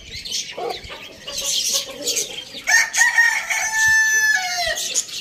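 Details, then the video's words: Morning crow of a rooster: short clucks first, then a loud drawn-out crow with strong harmonics that holds level for about two seconds and drops at the close. Busy twittering of small birds runs throughout. "Rooster crowing sound in the morning"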